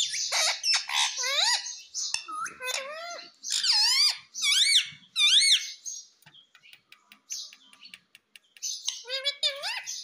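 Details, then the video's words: Pet talking Indian ringneck parakeet indoors in a small room, giving loud, harsh, harmonic squawks with sharply rising and falling sweeps in rapid bursts, a quiet gap with faint clicks midway, then another run of squawks. "Mummy Papa Bolta Parrot || Mitthu Mitthu Bolne Wala Parrot || Talking Parrot"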